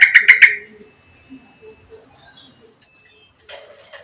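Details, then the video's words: Home-kept bird singing on and on beside a Javan grey-throated white-eye: four loud, crisp chirps rapidly repeated, followed by soft scattered notes and a brief burst of noise near the end. "BURUNG SEJUTA UMAT NGOMBYOK"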